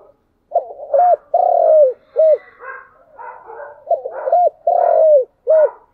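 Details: Spotted dove giving chiêu and thúc style cooing, a low hooting phrase of short coos and one long sliding coo, repeated twice, with softer, rougher notes between phrases.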